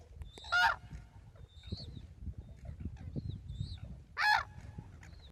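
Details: Red-crowned crane calling at Ito Sanctuary, Tsurui village, 30 November 2016: two short, harsh trumpeted notes nearly four seconds apart, with scattered high thin whistles of other birds and soft low ambient noise between them.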